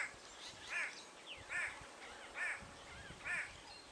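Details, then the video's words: Superb starling in Tarangire National Park, Tanzania, recorded 25 August 2010: four harsh, nasal calls spaced just under a second apart, with thin faint whistles in between over a quiet background. "Superb Starling"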